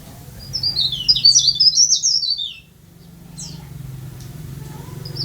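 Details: Tame leaf warbler, described as singing freely, gives a rapid, high-pitched twittering phrase of short down-slurred notes lasting about two seconds. A faint extra note follows, over a steady low hum.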